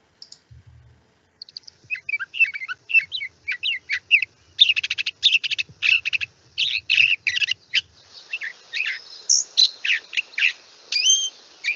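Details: A California Thrasher, found locally around Santa Barbara such as Lake Los Carneros, sings a long run of varied, throaty chirps and whistles, some phrases repeated twice, much like a mockingbird but rougher. A soft low thump comes early.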